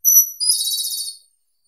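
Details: A Japanese robin sings one phrase, opening with a thin high whistle and a second lower whistle that dissolve into a rapid, buzzy trill before stopping abruptly.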